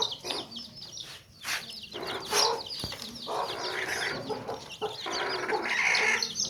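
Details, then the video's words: Baby chicks peep steadily in a tokri basket while hens give repeated broad, raspy clucks in bursts roughly every second over the high chirping. "Baby Chicks Chirping Sounds In Tokri | Chicken's Chicks Sounds and Chickens Clucking Sounds"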